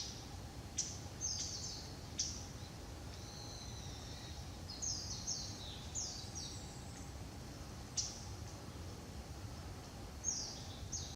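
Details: Japanese bush warbler on 20 November 2016, hidden from view, gives its dry, ticking non-song call notes every two to three seconds, with thin high chirps from other small birds and a low background rumble.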